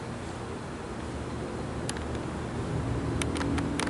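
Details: Low traffic rumble that swells toward the end, broken by a few sharp clicks and knocks, with no animal calls.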